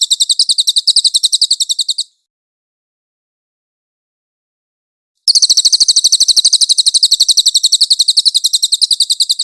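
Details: White-eye, known locally as cililin, in a clear-voiced tutor recording for songbirds: a fast, high, buzzy chattering phrase of rapidly repeated chirps for two seconds, a three-second silence, then the chatter resumes strongly.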